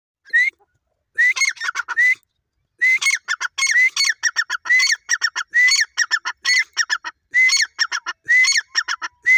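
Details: Caged grey francolin, called Irani dakhni teetar, giving loud repeated phrases, each opening with a sharp rising whistled note followed by a quick run of harsh clipped notes, roughly one phrase per second after a short early pause.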